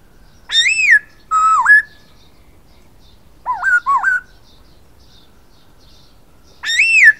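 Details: Silver-eared laughingthrush singing: a loud arched whistle with rich overtones, a level whistle dipping then rising, two quick wavering upslurred notes, then the arched whistle again after a pause. Quiet background.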